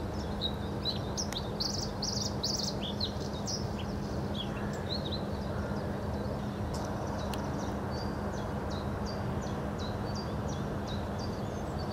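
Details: A Bluethroat in Hobokense polder, Belgium, on 21 March 2012, sings a varied string of high, clipped chirps and ringing notes over a steady low rumble and hum of distant traffic.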